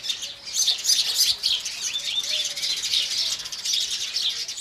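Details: Indian house sparrows in the morning: a dense, steady stream of bright, overlapping high chirps and tweets, with no pauses and no other clear sounds.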